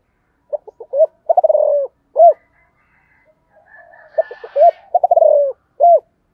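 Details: Spotted dove in the morning, calling in the Vietnamese 'giọng thổ cục đình' style to call wild doves: a low cooing phrase of short stuttered notes, a rolling purr, then a drawn-out coo, given twice with a pause between.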